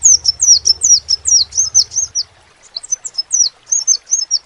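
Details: Crimson sunbird, or sepah raja, singing a fast series of high, sliding, squeaky notes for about two seconds. After a brief silence come a few more spaced chirps. Low background hum early on.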